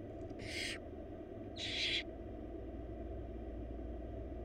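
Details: Wild barn owl nestlings, four chicks, begging while being fed a big rabbit by the female in a nest box; two harsh hissing screeches about a second apart, then quiet hum.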